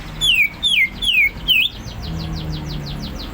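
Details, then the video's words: Greater green leafbird singing in the rapid continuous ngentrok style: four loud whistled notes, each sliding downward, about two per second, then fading echo-like trailing notes over a steady low hum. "Burung cucak ijo ngentrok.."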